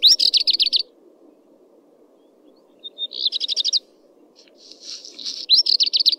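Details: Common redstart (Phoenicurus phoenicurus) singing three high phrases, each a quick run of about eight repeated bright notes, the middle phrase led by two short pure whistles; a steady low hum runs underneath throughout.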